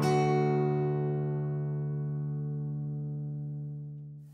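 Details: A single sustained guitar chord rings out and slowly decays, with no animal sounds.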